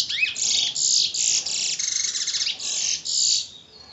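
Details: Bullfinch from Trinidad, a chestnut-bellied seed-finch, giving loud, harsh, buzzy notes in short blocks separated by brief gaps, with a raspy rising sweep at the start, fading at the end.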